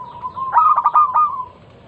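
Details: A single cooing phrase from a local zebra dove, used as a lure to make other perkutut sing: a soft lead-in coo, then a quick stammering run of clear notes fading into a long purr.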